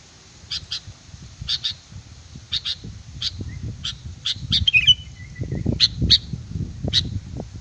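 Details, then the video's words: Sooty-headed bulbul lure song: bright paired high notes about once a second, a short fluttering whistled flourish midway, then scattered single notes over steady low background noise. "Suara burung kutilang pikat gacor"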